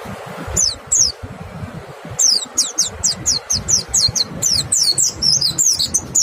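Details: White-eye singing to draw out song from other white-eyes: two isolated sharp downslurred whistles, then a steady series of high descending chip-like notes that grows into a twittering phrase.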